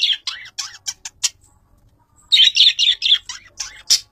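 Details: Long-tailed shrike fighter chirping for a master recording: harsh, scattered squawky notes and short rasping phrases, a quiet gap, then a louder cluster of grating buzzy chirps and a few sharp final notes.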